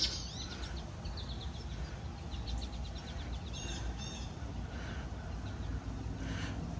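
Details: A northern mockingbird in a backyard on a very cold, foggy morning around 32°F, in late November or early December 2020, gives faint, high, chirpy notes in short repeated bursts over a low outdoor rumble, then flies overhead.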